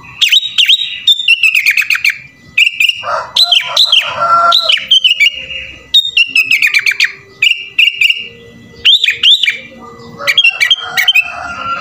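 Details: Sooty-headed bulbul (kutilang) singing nonstop in the full 'isian' style. Nearly continuous bright, bouncy, looping whistles are interspersed with fast clicking trills and a few harsh, buzzy segments, with only short gaps between phrases.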